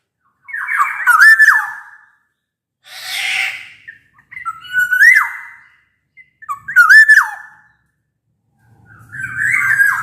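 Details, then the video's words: Black-naped oriole (kepodang) in loud song, played to coax quiet orioles to sing; four clear, slurred flute-like phrases broken by one harsh, nasal rasping note, with a faint low rumble at the end. "Suara kepodang gacor ini bisa di jadikan pancingan kepodang malas bunyi"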